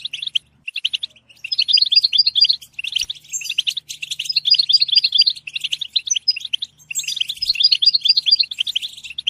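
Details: European goldfinch singing in bursts: several dense phrases of rapid tinkling twitters separated by short gaps, each phrase bright and chattering with high buzzy accents, over a faint low hum.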